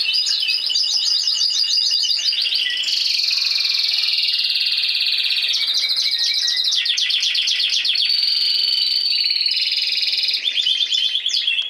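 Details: Spanish timbrado canary, a caged bird from last season, singing a continuous high song of rapid rolled trills and metallic tours, shifting between pitches with pulsed, bell-like phrases and a sustained whistled note near the middle.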